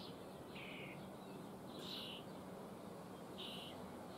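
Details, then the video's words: Young common starlings in a cage in Liepāja, Latvia, in May 2024 give three short, hoarse, rasping calls about every one and a half seconds, over urban background sounds, a steady hiss and low hum. "MĀJAS STRAZDI / Sturnus vulgaris / būrī. Jaunie putni."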